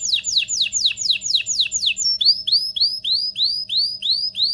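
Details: Canary in full song to excite females and males before breeding: a fast series of steeply falling sweeps, then a run of rising arched whistles repeated about four times per second.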